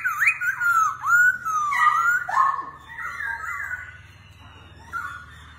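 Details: Laughingthrush, described as dancing like a circus act, sings clear whistled phrases that slide up and down, with a loud opening run, then quieter and fading notes toward the end.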